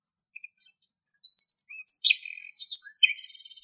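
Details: Common nightingale song from Greek countryside, starting with scattered soft whistles and chirps that build into a varied run of high, sliding notes, ending in a quick rattling trill of repeated notes; no other sounds.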